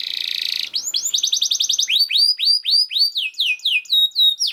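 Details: Canary master song for training other canaries: a short buzzy trill, then a fast run of repeated notes and a series of clear descending whistled sweeps, roughly four per second.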